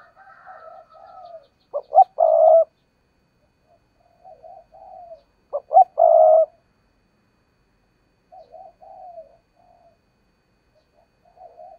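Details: Spotted dove decoy bird cooing intensely, the style called thúc gù. Two loud, low coo phrases arrive about four seconds apart, each made of two short notes and a longer rolling coo, with softer quavering coos between them.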